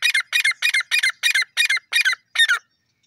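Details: Grey francolin calling in the crossing season: a fast series of eight harsh, buzzy double notes, about three per second, the last burst slightly stronger and drawn out, then silence.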